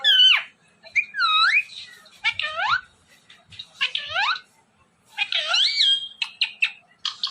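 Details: Talking ring-necked parrot producing a chatter of speech-like phrases, with sweeping, swooping tones, quick clipped syllables and a high squeal, in a quiet room.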